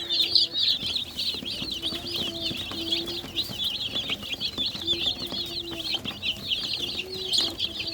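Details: Many young chickens chirping nonstop, a dense chorus of high, quick peeping notes with overlapping wavering cheeps and no pauses, plus a faint low hum underneath.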